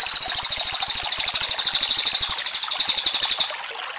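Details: Oriental magpie-robin master recording for training captive songbirds: a rapid, bright, high trill of evenly repeated notes, roughly three per second over three and a half seconds, then stops abruptly, leaving faint background hiss.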